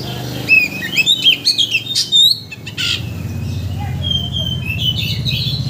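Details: Lure song of an Oriental magpie-robin meant to provoke another bird into showing its full song: sharp chirps and rapid whistled notes, then longer high sliding whistles, over a steady low hum.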